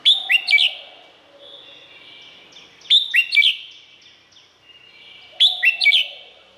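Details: Singing Red-whiskered bulbul from Thailand, recorded to excite or train others: three rich phrases of three or four loud rising whistles about every two and a half seconds, with softer trailing notes and faint lower tones in between.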